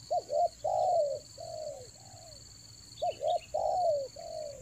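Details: Spotted dove rainy-season lure call, raja angguk style, Toba: two phrases of quick paired coos followed by long, full, falling coos, clear and loud, with a thin chirp and steady high-pitched tone behind.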